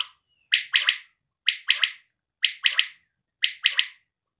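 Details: A quail gives a crisp three-note phrase, the notes quick and sharp, repeated evenly about once a second four times in a quiet setting.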